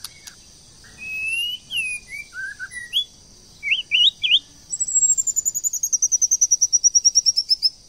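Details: White-rumped shama, a female prompting a male to sing: slurred whistles and short rising notes, then a long fast trill of high repeated notes descending slowly.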